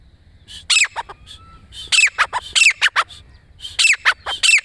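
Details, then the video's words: Grey francolin calling: loud, harsh, ringing notes in quick clusters of two to four, each with a sharp upward inflection, repeated in bursts with short pauses. "grey francolin portrait"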